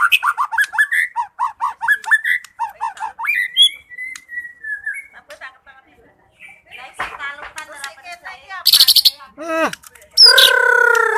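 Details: White-rumped shama, a caged songbird in full song, giving rapid repeated whistled phrases with looping notes, a long gliding whistle, then varied sharp chips and harsh buzzy bursts near the end.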